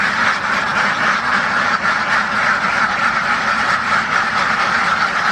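Many ducks quacking together in a dense, continuous chorus of harsh, overlapping quacks, loud and steady throughout.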